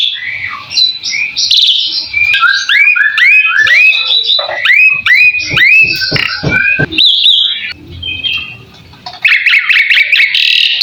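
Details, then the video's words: Asian pied starling (jalak suren) full masteran song: a long, fast series of rising whistled notes and clicks, then a stretch of dense buzzy trilled notes near the end. "Suara burung jalak suren , full masteran"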